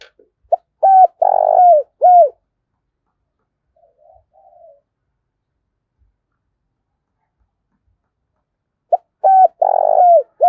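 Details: Spotted dove calling to challenge a rival: a loud series of deep hollow coos, short notes leading into a longer vibrating coo and a falling final note, repeated after a long pause, with a faint soft coo between.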